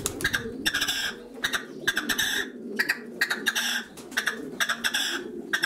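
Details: Male red-legged partridge in song: loud, coarse chuck-like pulses grouped in short rattling bursts, roughly three bursts per two seconds, with soft low cooing in the background.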